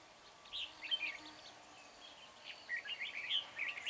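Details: Red-whiskered bulbul singing as a decoy to lure wild birds at a trapping site: faint, bubbly, warbled phrases in two short bursts over a steady hiss of background noise.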